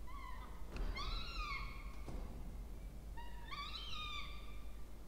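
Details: Peregrine falcon chicks, two of them, begging while being fed at a water-tower nest box in Orange, New South Wales, Australia, in October 2024. Drawn-out, rich, whining calls arrive in two bursts, with brief clicks between them.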